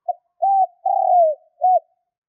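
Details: A spotted dove giving the fast luring call aimed at wild doves: a quick introductory note, a smooth coo, a long downward-gliding coo and a short arched ending. The cooing is low and mellow.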